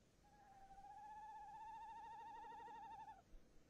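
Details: Male tawny owl in its nest box on 22 January 2018, giving one sustained quavering hoot of about three seconds, the trembling tone swelling in the middle and ending abruptly; steady low background noise.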